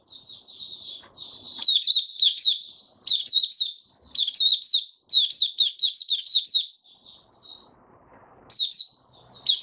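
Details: White-eye singing long runs of fast, high, sweet twittering, phrases packed closely with short gaps, little else audible.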